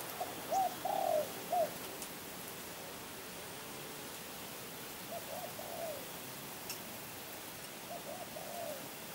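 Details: Spotted dove phrase of hoarse coos, one longer rolled note among short ones, opening the recording, followed by fainter repeated coo phrases further off amid constant hiss.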